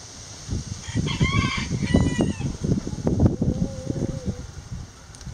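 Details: Chickens relaxing in a backyard coop, giving several loud, quavering calls early on and a drawn-out wavering note later, mixed with heavy thumping and scratching noises close by.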